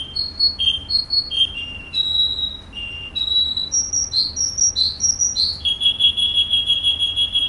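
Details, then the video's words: Russian canary singing in Kuwait: clear whistled phrases, each note repeated in pairs or short runs and shifting in pitch, ending in a long, even series of rapid, identical high whistled notes. "russian canary"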